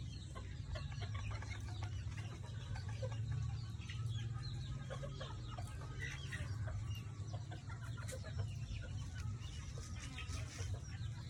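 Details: Red junglefowl in a crowded backyard, clucking irregularly throughout amid overlapping bird chatter and a constant deep rumble.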